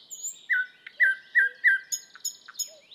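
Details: Thrush nightingale singing a phrase of four loud, slurred descending whistles about a third of a second apart, then a string of short sharp clicks and high metallic notes.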